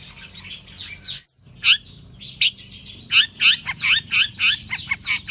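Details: Long-tailed shrike in the morning sun giving harsh, scratchy notes, with a short pause, then loud rasping chattered phrases repeated about once a second.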